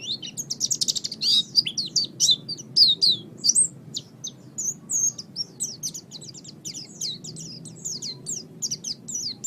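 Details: Oriental white-eye song used as a master recording for training birds: rapid, dense run of high, thin chirps and twittering whistled notes, sharply rising and falling, nearly continuous for ten seconds, with a faint low hum beneath.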